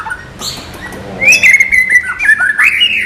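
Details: White-rumped shama non gelembung training song: soft opening notes, then a loud sustained whistle that wavers and dips before rising into a bright final phrase.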